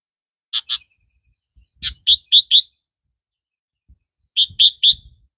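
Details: Captive red-vented Sooty-headed Bulbul, compared with the yellow-vented form for its clearer, louder voice, sings bright, sharp chirped notes in quick bursts of two, four and three, separated by short pauses; otherwise quiet.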